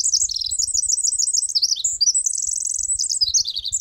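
Pacific Wren song: a long, rapid, tumbling run of very high trills and squeaky notes, changing pitch every fraction of a second with no pause.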